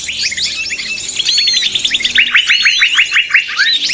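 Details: Trapping lure of agitated small birds: busy high twitters, then a run of quick descending chip notes delivered about three per second, with thin whistled slurs overhead.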